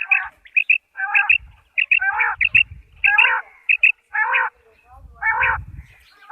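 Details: A quail gives repeated harsh, chattering call bursts about once a second, with short clear high notes between them, over a low rumble; the quail call is used for hunting.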